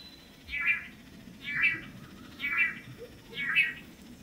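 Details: Long-tailed manakins in Costa Rica, several pairs of males taking turns displaying on a lek in front of a female: four nasal, buzzy calls about one second apart, over low steady background noise.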